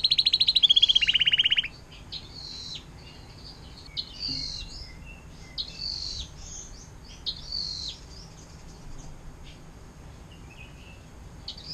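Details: Atlantic canary, 'air mancuran' song style, recorded as a tutor for other cage songbirds; opens with a loud rapid trill for under two seconds, then quiet scattered high chirps and short twitters.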